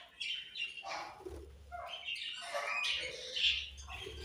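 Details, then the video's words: Budgerigars chirping in a steady, overlapping chatter of bright, high twittering notes and short squawky bursts, with little pause between calls and a faint low hum underneath. "Very Sweet Budgies Chirping Sounds"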